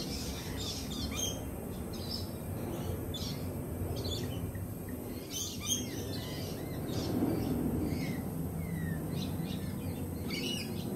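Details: Lorikeets at a feeding cafe, jittery after a peregrine falcon attack earlier in the week, give harsh, buzzy screeches in quick irregular bursts, several birds overlapping, over a steady low rumble of background noise.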